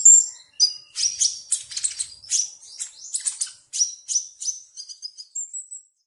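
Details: A sunbird gives a series of sharp, high chipping notes at a steady, brisk pace, then softer thin whistles, closing with a short high trill before falling silent.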